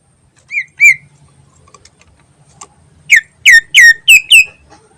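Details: Greater green leafbird song used as a lure: two clear whistled notes, a quiet gap with faint clicks, then a fast run of five loud, downward-slurred whistles.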